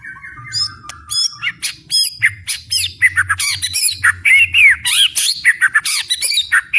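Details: A fighter-spirited white-rumped shama sings loudly: a thin steady whistle leads into dense, scratchy, squawking phrases and rapid twisting high notes packed closely together, over a soft low rumble.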